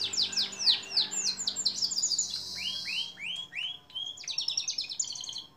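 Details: Canary song on a long-duration masteran training track for songbirds, rapid high falling notes giving way to lower arched notes, then a high buzzy trill.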